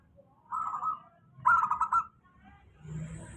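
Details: Zebra dove of a local strain singing a lure song meant to prompt quiet doves: a short cooing phrase followed by a louder, rapidly pulsed trill, over a low background rumble.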